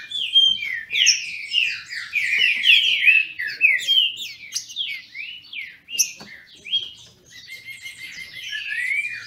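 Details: Green-winged saltators in a Brazilian breeder's care dueling: dense, rapid whistled phrases of rising and falling slurs, thinning later into softer, steadier notes.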